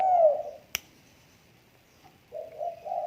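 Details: Tame spotted dove: one strong, falling mellow coo, a single sharp click, a quiet gap, then a soft series of low connected coos.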